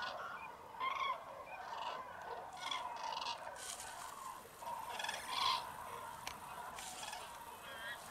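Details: Common crane roost at dawn in icy fog, Tablas de Daimiel, Spain, mid-January. Scattered loud trumpeting calls break out over a quieter mass of flock voices, along with some higher, noisier calls from other waterbirds such as geese and teal.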